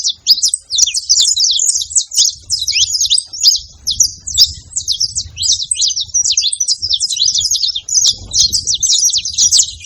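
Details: Several saffron finches together making noise: a dense, continuous stream of high, sharp chirps and quick twittering notes, overlapping without pause for the whole stretch, with faint low rumble beneath.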